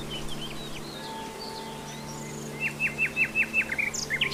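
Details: In the wild, a common nightingale gives scattered thin notes, then a quick series of about eight bright, evenly spaced chipping notes, over a constant low mechanical drone.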